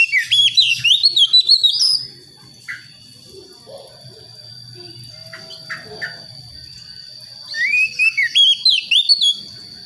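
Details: Young Priangan White-rumped shama from West Java forest, learning its song: two bursts of loud rapid rising-falling whistled notes separated by a quiet gap, with a steady high insect-like tone in the background.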